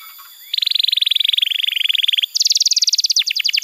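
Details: Canary song played as a trigger to get a young, non-singing canary vocalizing: a rapid rattling trill of even pulses, followed by a higher, faster trill that breaks into separate descending notes.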